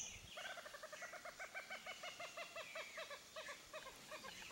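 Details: Purple gallinule (Porphyrio martinicus) in a marsh, giving a rapid cackling series of clucking, gobble-like notes, about five per second, with faint background birds.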